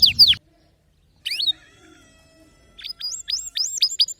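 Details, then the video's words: Canary with brief bursts of song: a short phrase, a pause, then a quick series of rising and falling whistled notes. "كناريك سيطلبها بنفسه لا صمت بعد اليوم تغريد روووعة ونوطات مميزة canary"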